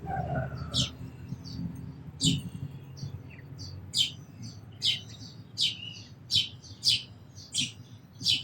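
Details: Sparrow chirping in a loose series of short, bright chirps, about one every half second to second, over a quiet low background rumble.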